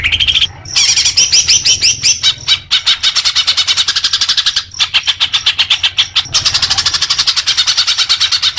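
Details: Continuous leafbird song meant as therapy for newly caught young birds: an unbroken stream of rapid, evenly repeated chirps and whistles with only brief breaks.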